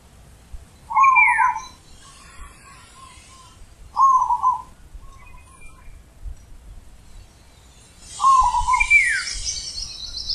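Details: Zebra dove singing its big ulem-style coo: brief rolling trilled phrases at intervals of about three seconds, with a descending whistle from another bird overlapping the first and last phrases and faint rustling noise.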